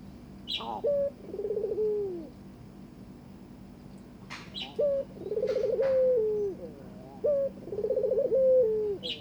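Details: Barbary dove inviting its mate to breed: three rolling, purring coos, each a short rising note, then a vibrating trill that slides down into a drawn-out falling tail, with brief clicks between phrases.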